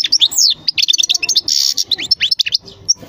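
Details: European goldfinch in continuous, lively song: a dense rush of high, liquid twitters, sliding whistles and a brief buzzy rasp, the notes tumbling quickly one after another with hardly a pause.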